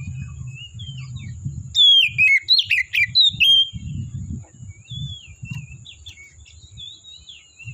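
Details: Oriental magpie-robin, wild in forest: soft whistles, then a loud two-second flurry of varied descending whistles and chirps, followed by quieter wavering whistled notes, with continuous low rumble behind.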